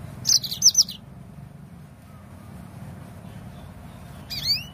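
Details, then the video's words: Yellow-fronted canary sound for prompting birds to sing: three or four sharp, high chirps in quick succession, a long quiet gap, then one rising whistled note near the end. "Suara pancingan Burung Mozambik AGAR LANGSUNG GACOR"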